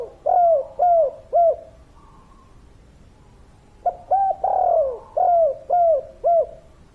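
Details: Vigorous kuk 3 calling from a wild local spotted dove: three soft falling coos, a brief faint note, then a run of five more coos about half a second apart, clear against a quiet background.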